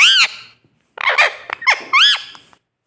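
A parrot gives a harsh, nasal squawk, then after a pause a run of three or four rasping, rising-and-falling screeches, indoors.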